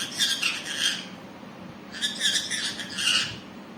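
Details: Green parrot kept as a pet uttering two bouts of rough, raspy squawks, each a run of three or four grating notes separated by a short pause.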